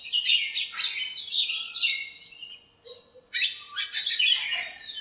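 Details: On a sunny morning, birds in a backyard lemon tree chatter and squabble: bright, high chirping and twittering in quick bursts, with a short pause near the middle before resuming; several birds may be singing.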